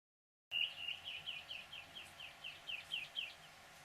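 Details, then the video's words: Hooded oriole, northern California, a songbird: a quick run of about a dozen short chattering notes in the upper range, evenly repeated roughly four per second over three seconds, fading slightly, with quiet background. "Amazing NOLRCAL SongBirds ( Hooded Orioles)"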